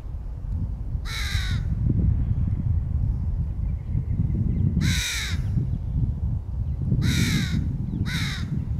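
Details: During feeding of its young in 2022, a crow gives four loud, grating caws, spaced irregularly with the last two close together, over a constant low-pitched background hum.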